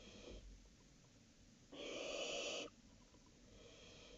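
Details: Barn owls at night, 19 July 2018, around three in the morning: one long, faint, breathy hissing screech lasting about a second, with soft rustling hiss before and after.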